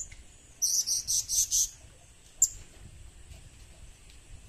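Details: Blue-crowned hanging parrot calling for use as a lure: a quick run of five shrill high chirps in the first two seconds, then one lone chirp and near silence.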